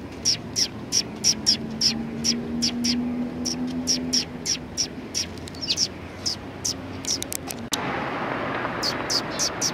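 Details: Sparrows flying in to get food on 18 November 2019: a long series of bright, clipped chirps repeated several times a second, over a low steady hum, with a sharp click followed by broader rushing noise near the end.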